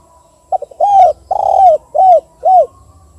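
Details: Spotted dove KUK 2 type call, used as a lure for wild doves: brief clipped notes leading into one long coo, a second long coo, then two shorter arched coos, low-pitched and hollow.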